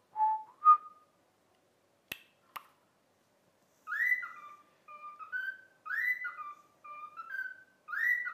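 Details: Cockatiel whistling its learned song "If You're Happy and You Know It": two brief opening whistles, faint clicks, then a lively sequence of swooping and stepped whistled notes following the children's tune.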